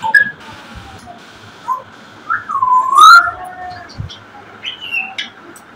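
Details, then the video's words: African grey parrot singing: scattered whistled notes, one clear whistle that slides up, dips and rises again, then a short high falling whistle, with soft background hiss. "African Gray Parrot || BIRD SNINGING AND DANCING"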